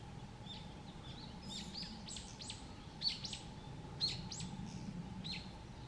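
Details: Narcissus flycatcher on Mount Rokko, Hyogo, Japan, in May 2020: short sharp high chirps and clipped notes in irregular bursts, with two louder clicks, over quiet low background noise.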